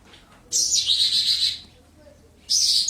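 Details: Lark kept in a tall one-metre cage gives a sustained bright, buzzing warble for about a second, falls quiet, then starts another high burst.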